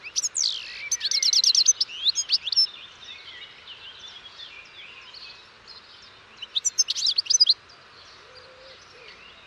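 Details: Finch-like song: a fast, buzzy, rattling trill and twittering notes at the start, a quieter stretch, then another short burst of rapid tinkling chirps.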